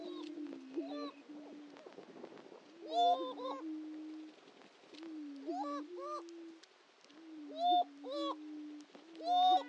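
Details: At the historic Dunn Ranch Prairie lek in Hatfield, Missouri, greater prairie-chickens keep up a continuous low hooting drone, with bright whooping and cackling notes bursting out in clusters every couple of seconds.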